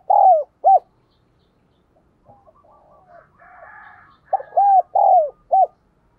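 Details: Spotted dove used as a decoy, driven to coo quickly to attract wild birds. It gives a phrase of low, hollow, arched coos, then faint distant cooing and softer bird notes, then another full phrase of four rounded coos.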